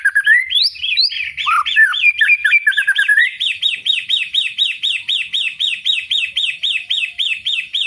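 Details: White-rumped shama (murai batu) singing loudly in the ngeplong style: a few varied whistled phrases, then a fast, steady run of repeated bright rising-falling notes, roughly two per second, clear and dominant.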